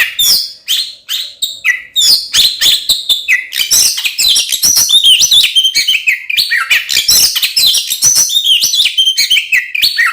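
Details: Oriental magpie-robin song used to provoke other magpie-robins into a fight: ten seconds of continuous rapid chattering and scratchy mimic-like notes laced with short whistles, very busy and unbroken.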